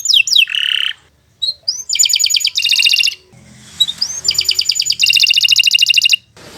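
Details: Canary long song used to tutor other birds: quick descending notes and a buzzy phrase, rising whistles, then bursts of rapid pulsed trills between short pauses.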